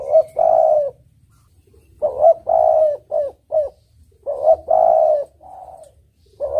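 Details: Spotted dove (tekukur) giving repeated low cooing phrases meant as a lure: a short coo, a long rolling coo and clipped trailing notes, phrases about two and a half seconds apart in a quiet setting.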